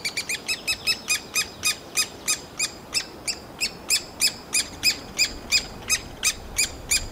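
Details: Summer brood of three-toed woodpeckers calling from their nest hole during feeding, one loud chick after another; sharp, metallic chips repeated roughly three per second, spacing slightly uneven, each with bright overtones, over quiet background.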